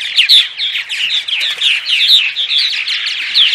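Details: Purple martin morning chorus meant to draw in martins: continuous throaty warbles and crackling chirps from many birds, with sharp whistled notes standing out every second or so.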